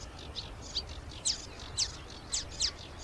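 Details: Fairly distant marsh warbler song, the mimic's varied repertoire: thin, high descending ticks and sharp chirps repeated about twice a second, steady low background noise throughout.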